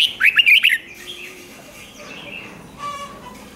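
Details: A Red-whiskered bulbul opens with a rapid warbled phrase of bouncing whistled notes, then falls quiet. Faint chirps and a brief buzzy sound follow. The song is played to stir up caged birds.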